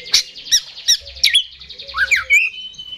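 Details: Oriental magpie-robin (kacer) singing in the continuous 'gacor ngeplay' style, a variety kept by songbird hobbyists. Loud, sharp whistled notes and buzzy slurred phrases, with a rising then falling trill near the end.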